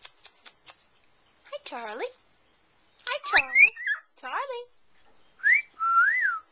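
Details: Charlie, a male pet cockatiel in a new cage, clicks, then sings a string of sliding whistles while flirting with his reflection in the bowl; he is taught words and wolf whistles.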